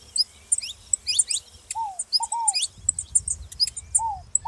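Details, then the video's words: Bright, very high chirps and quick upward-sweeping notes from a saffron finch, given in loose clusters, while softer arched lower notes appear three times alongside a ground dove. "canário da terra fazendo barulho junto com rolinha"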